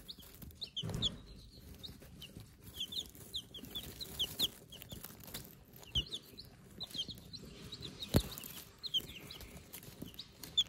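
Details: Newly hatched Silver Laced Wyandotte chicks in a brooder peep continuously: thin, high, falling notes pile into overlapping bursts. A few soft bumps and rustles sound in the background.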